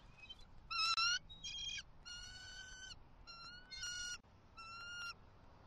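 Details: Bald eagles at a Southwest Florida nest, October 28, 2023, while the male brings two fish to the female: a run of high, ringing whistled chitters in six or seven bursts, some loud, over soft hiss.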